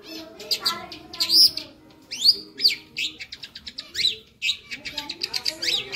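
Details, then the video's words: Long-tailed shrike in full, active song with lively varied fill, recorded as a master track for training other birds: quick high chirps, sharp upslurred and downslurred whistles, and rapid trilled bursts, with softer lower notes near the start. "suara masteran burung cendet gacor ,isian hidup"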